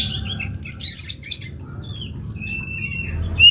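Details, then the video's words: Orange-headed thrush singing high, thin whistles and sharp squeaky notes, then a long level whistle ending in an upward flick, against quiet low background noise. "ANIS MERAH Langsung Gacor Nyaut"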